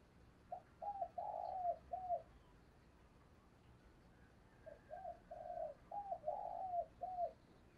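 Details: Spotted dove decoy bird cooing to provoke and lure wild doves. Two phrases of mellow, low coos, each with four or five notes and a longer stressed middle note, separated by a few seconds of quiet background.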